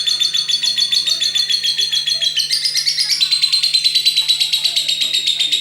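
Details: Lovebird giving a long ngekek trill: a continuous, rapid, shrill chattering that runs without a pause for over five seconds.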